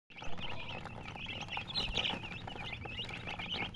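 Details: Colored chickens chirping: many short, high peeps with quick rising and falling inflections overlap continuously, over a steady low rumble in the background.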